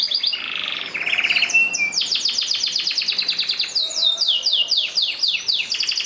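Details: Canaries in song, pouring out rapid high trills: a dense buzzy roll at the start, then a long series of quick repeated downslurred notes, about four per second, with steady loud rhythm.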